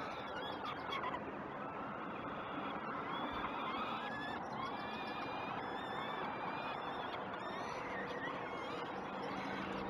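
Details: At first breakfast on 29 May 2018, shortly after 06:09, peregrine falcons at the Great Spirit Bluff nest give hoarse, ringing calls on a live nest camera. The calls come in irregular clusters and sit over constant heavy background noise.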